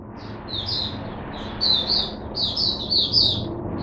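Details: Oriental white-eye, a kept bird given supplement-mixed drinking water, starting its song on 5 May 2022: bursts of high, rapid twittering notes in short phrases over a steady low background hum.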